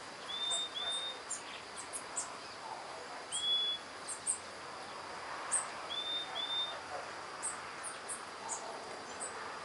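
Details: Male and female Brazilian tanagers (Ramphocelus bresilius) in Atlantic Forest remnant habitat at Taiaçupeba, Mogi das Cruzes, São Paulo, Brazil, recorded 8 June 2013 in winter: thin, clear, high whistled notes, often in quick pairs, every few seconds, over insect hiss.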